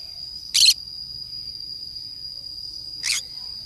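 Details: Green-cheeked conure at play alone in forest, uttering a loud raspy squawk and, over two seconds later, a softer second one, while a steady high insect-like whine continues.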